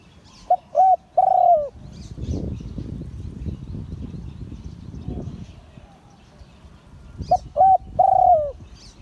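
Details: Spotted dove crowing, Liu Tan style, with a quick pair of short coos leading into a drawn-out falling coo, repeated after a pause filled with low rumbling noise.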